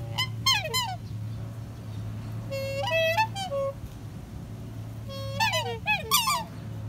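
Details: Captive-seeming black swan addressing a person with musical, bugling notes: short pure tones that slide downward, grouped in bursts at the start, middle and end, over a steady low hum.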